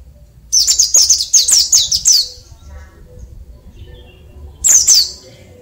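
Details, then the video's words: Oriental white-eye of the Dakun Bali type singing in the natural ngalas style during morning dew airing, undoped: a very high, rapid twittering burst of about seven notes lasting under two seconds, then a short second burst after a pause. "Pleci Dakun Bali Ngalas Alami Di Pagi Hari"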